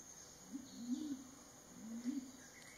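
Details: Mountain imperial pigeon giving two deep, soft, drawn-out coos about a second apart, each low and slightly rising then falling, over a faint steady high insect hum.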